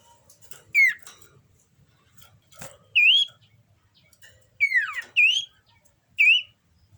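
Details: Common iora in breeding condition giving short whistled notes, some rising then falling, in spaced bursts over several seconds, with a double note near the end. Faint clicks and background noise between phrases.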